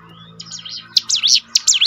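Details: Short burst of Bar-winged Prinia (ciblek gunung) song, played to train birds to sing more readily: a thin rising whistle, then sharp, high swooping notes repeated several times in under two seconds.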